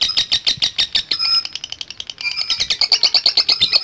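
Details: Lovebird chattering in the 'ngekek' style: fast, harsh, high-pitched pulsed notes, briefly broken by a thin whistle, then resuming as a quicker, tighter trill.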